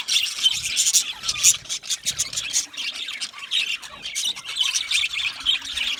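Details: Budgie parakeets chatter when content or talking to each other: a busy mix of high squawky chirps and rapid warbled notes, several birds overlapping in a continuous stream with short louder bursts.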